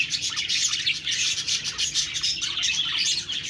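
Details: Loud budgie chatter: bright high chirps and warbled twitters tumbling over one another without a break.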